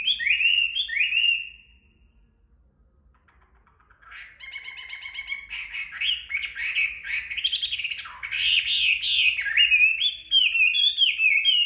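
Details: Sun-drying Chinese hwamei after bathing: two loud slurred whistles, a silent gap, then a long varied song mixing rapid chattering notes with strong sweeping whistled phrases.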